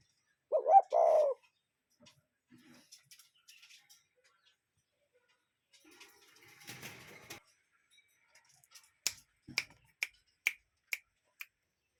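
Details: Cuckoo in a natural setting giving one two-syllable hooting call early on, then quiet with faint rustling and a run of sharp regular clicks near the end.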